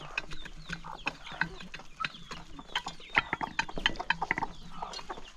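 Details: A flock of hungry chickens at morning feeding in the countryside, giving short clucks and sharp calls between rapid pecking clicks, with several birds calling at once.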